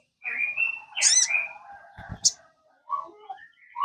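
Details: Sogon song played to prompt a kept bird to sing: a varied run of clear whistled notes and sharp high chirps with short gaps, ending in quieter twittering notes.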